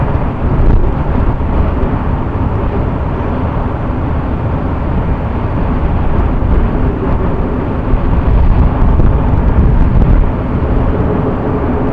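Steady low rumbling traffic and wind noise fills the recording, with no animal calls heard.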